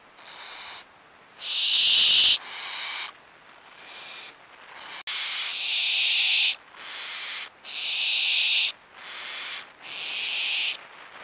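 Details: Juvenile barn owls perched while being fed, producing a series of rough hissing snores of roughly a second each, some louder and closer than others, with short silent gaps.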